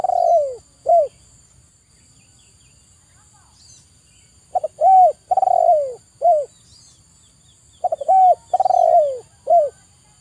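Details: {'text': 'Spotted dove (tekukur) cooing: phrases of a short note, a few soft clicks, a long rolling coo sliding downward, and a closing short coo. Three phrases in ten seconds with quiet gaps between them.'}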